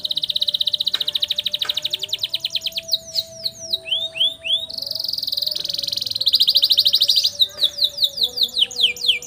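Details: Canary long roll used as master song for training young canaries: a sustained rapid roll, then rising swoops, buzzy rattling rolls and a closing run of quick downslurred notes.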